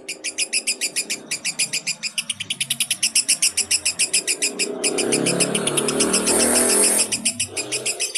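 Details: Fighter lovebird's long ngekek laugh, used to lure baby lovebirds: rapid, shrill chattering notes, partly masked midway by a stretch of broad rushing noise before the pulses return.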